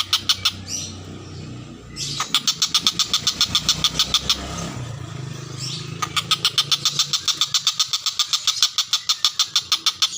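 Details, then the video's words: Common cicadabird in full song for training lovebirds: rapid, evenly pulsed buzzy notes at about three to four per second, in long runs, with a low engine and motorcycle rumble underneath for much of the clip. "TENGKEK BUTO gacor"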